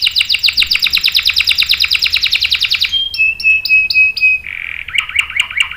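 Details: Canary's extended rolling song, used as a prompt and tutor for young males: a rapid trill of repeated notes for three seconds, then clipped high whistles and a lower warbling, slightly squawky phrase.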